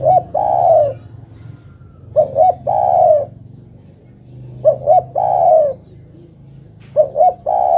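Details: Female spotted dove calling the male, giving a two-note stutter then a drawn-out descending coo, about four phrases evenly spaced near three seconds apart against a faint low drone.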